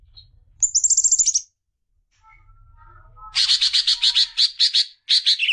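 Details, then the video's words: Greater green leafbird song used to stimulate young birds: a short high trill near the top of its range, a pause, then a longer run of rapid buzzy repeated notes, about a dozen pulses in quick succession. "CUCAK IJO BIKIN JUNIOR NGETOP GACOR NGEPLONG"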